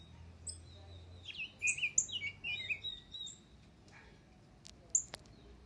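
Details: Pet rose-breasted grosbeak singing: a burst of sweet, rolling warbled phrases lasting about two seconds, slurring up and down, followed by quiet with a few faint clicks and one sharp high note.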